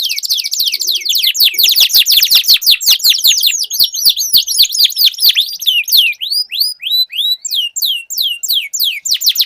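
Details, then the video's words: Canaries singing against each other in a duel: long rapid series of down-slurred whistles with clicking accents, slowing into spaced sweeping notes. "Duel Burung Kenari Suara Merdu Ngerol Panjang || Pancingan Ampuh Kenari Macet Langsung Gacor Ngerol"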